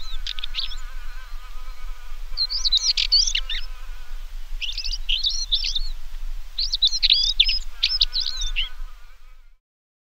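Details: In Parque da Devesa, Vila Nova de Famalicão, Portugal, a stonechat delivers a series of brisk, scratchy, squeaky warbled phrases in quick succession, with a steady low hum underneath before fading out.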